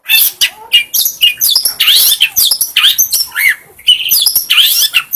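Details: Long-tailed shrike singing as training audio for other songbirds, a nonstop jumble of scratchy chirps, rising whistled slurs and harsh high notes packed closely together.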